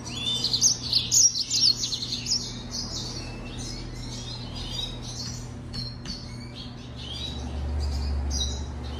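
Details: Yellow-fronted canary (Serinus mozambicus) singing, recorded in 2020: a lively burst of high twittering notes in the first two seconds, then fainter scattered chirps, with a constant low background hum.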